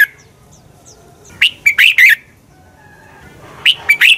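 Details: Red-whiskered bulbul singing a fighting song used to train birds: two phrases of four bright, rolling whistled notes, preceded by a few faint high chips, over a low background hum.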